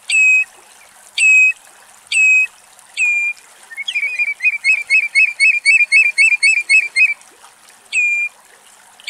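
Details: Common redshank foraging in Axios Delta National Park, Thessaloniki, Greece, giving loud, ringing whistled notes about once a second, then a fast run of repeated yelping notes; a faint trickle of water behind.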